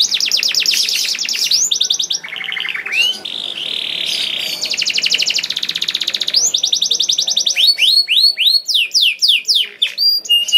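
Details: Canary lure song for coaxing other canaries: fast rattling trills, a buzzy stretch, more long trills, then a series of sharp downward-sweeping whistles speeding up toward the end.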